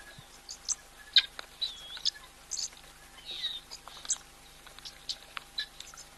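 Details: Oxpeckers that have just landed on a giraffe at a waterhole on 1 October 2023 give short, high, hissing chirps and buzzy twitters in irregular bursts. Several birds call over faint background noise.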